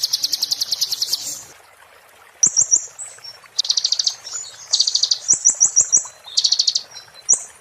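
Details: Purple-throated sunbird, locally konin, giving "muntah beling" song for training magpie-robins and shamas: a fast high trill, a pause, then clustered sharp whistled notes and buzzy rattles, with faint clicks.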